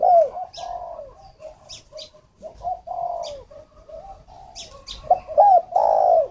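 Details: Decoy spotted dove for luring, Ba Vì, Hanoi, northern Vietnam. Its coo phrases mix short hoots and long burry notes, some with quick upward flicks, while high thin chirps of other small birds break in repeatedly.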